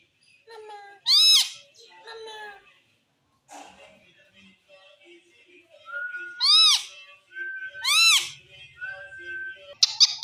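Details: {'caption': 'Indian green ringneck parrot making loud arched, ringing calls and sustained whistled tones between quieter murmuring sounds indoors.'}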